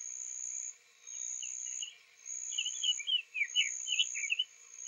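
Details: Quietly singing male Summer Tanager, Owens Spring Tract, Lafayette County, Florida, morning of April 3, 2023, days after spring arrival; a rambling phrase of rapid burry, up-and-down warbled notes while insects buzz steadily overhead.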